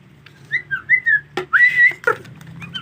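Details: White-rumped shama in the rainy season, with bathing difficult: a few clear whistled notes, a sharp click, then a long pure whistle sliding up and holding steady, ending with short soft whistles.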